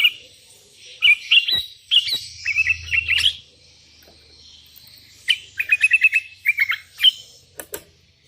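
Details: Sooty-headed bulbuls, one calling rivals and wild ones responding: two bursts of quick bubbly whistled notes separated by a quiet gap, with scattered clicks and a brief low hum.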